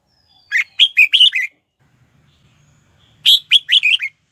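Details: Red-whiskered bulbul serving as a lure to bring wild bulbuls in to fight; two phrases of five or six rapid, chirpy warbled notes separated by nearly two seconds of near silence.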